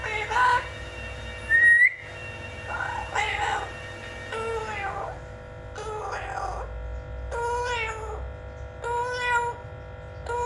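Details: Pet blue-fronted amazon parrot chattering through a string of speech-like phrases, some whistled and rising, others rough and squawky, about eight bursts over ten seconds in a room.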